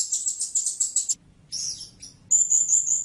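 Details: Blue-crowned hanging parrot: a fast burst of thin, high-pitched chattering notes, a brief gap, a slurred squeaky phrase, then a sustained shrill, ringing trill.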